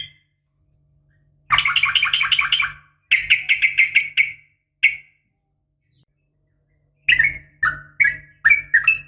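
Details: A female sooty-headed bulbul calls males at morning: rapid rattling chatters in two bursts, a lone note, silence, then a string of slurred, whistled notes rising and falling.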